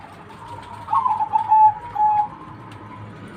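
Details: Perkutut, or zebra dove, singing one mellow cooing phrase of several quick stuttered notes that run into a longer level coo, heard over steady indoor-like background hum.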